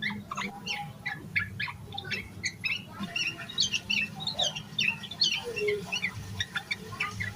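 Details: Yellow-vented bulbul in excited full song with fill-in phrases, used to coax other bulbuls into song; a steady series of short chips gives way to busier, jumbled twittering and squeaky slurs.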